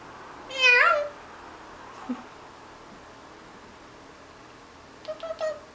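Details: Morning chatter from a napping pet parrot copying animal noises. A single loud, harmonic, downslurred whine is followed by a soft click and, near the end, a short trio of quieter notes indoors.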